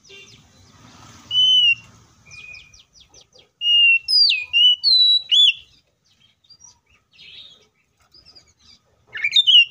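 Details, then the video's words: Oriental magpie-robin delivering a rich fighting song meant to set other magpie-robins singing: scattered whistles, then a run of five loud, pure notes rising and falling about every half second, with a sharp whistle burst at the end. "KACER GACOR FULL ISIAN MEWAH TARUNG NGEPLONG NGOTOT❗PALING AMPUH BUAT PANCINGAN KACER AGAR BUNYI!"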